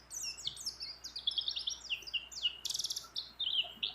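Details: Mountain white-eye female, in breeding condition, calling a male with a dense, high twittering song of quick slurred chirps and a short buzzy burst, song mixing in phrases borrowed from other birds.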